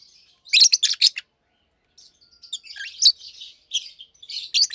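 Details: Two adult caged Fischer's lovebirds, almost two years old, one pastel green with orange-tinged face, one blue with white head, chirping by day: a loud burst of harsh high chirps, then a pause, softer twittering and more sharp chirps.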